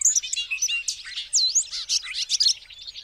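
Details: Fast, bright Bobolink song: squeaky slurred notes and metallic twangs tumble together in a continuous three-second rush, high and sparkling throughout.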